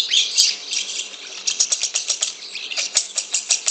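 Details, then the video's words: Asian pied starling (jalak suren) giving a harsh, grating chatter: dense noisy high-pitched bursts repeated several times per second, with a few clearer squeaky notes near the start. "Jelek Banget Suaranya Neeh (Jalak Suren)"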